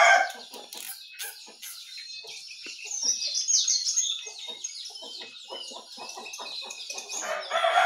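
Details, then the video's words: Morning twittering of sooty-headed bulbul, yellow-vented bulbul and white-eye: a rich warbled passage mid-way over a constant high chirping background, with short pulsed notes throughout. "Suara Burung Jongkangan, Terucukan , Pleci di pagi hari"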